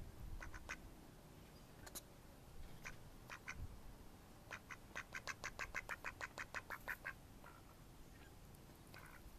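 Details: Mallards recorded in May 2014, with scattered single quacks and then a fast descending series of about a dozen harsh, nasal quacks that tails off into a few stray calls.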